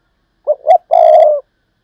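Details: Close, loud 'Thúc Lợi Cốt' call of a decoy spotted dove: a quick low coo, a second rising coo, then a long, buzzy, gently falling coo.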